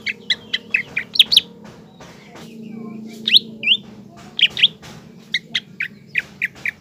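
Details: Green leafbird singing to provoke and excite another leafbird, a lively jumble of short sharp chirps and whistled slurs repeated irregularly, over a low background hum.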